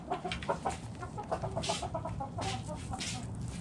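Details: Backyard chickens feeding inside their coop, hens clucking in short repeated low notes and quick bursts, with rustling and scratching noises between calls.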